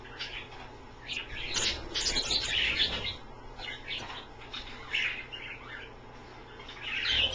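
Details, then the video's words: Pet Australian parrots bathing in a shallow pie dish of slightly cool water indoors, giving bursts of high chirps and chattering notes, loudest between one and three seconds and again near the end, with splashing and low room hum. "the Aussie birds take a bath"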